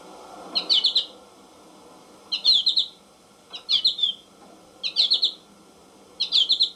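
American goldfinch giving short, high, twittering phrases of three or four quick notes, repeated roughly every second and a half over a low background hum.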